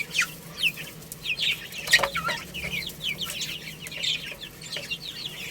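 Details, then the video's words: Little chicks playing and eating give clear, high, descending peeps, sometimes rising then falling, repeated irregularly about once every second or two over soft clicking. "Cute Little Chicks Chirping Sounds| Baby Chicken Playing and Eating"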